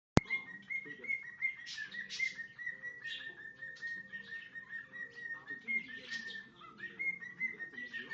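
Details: A male pet cockatiel sings to his owner's foot, mixing a couple of learned songs into his own melody, a steady stream of warbling whistles broken by brief scratchy chirps.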